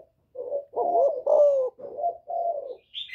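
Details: A spotted dove in the 'giọng thổ' voice calls to provoke rival males. Several drawn-out, low, slightly wavering coos run together, one louder and downslurred, ending with a short high chirp.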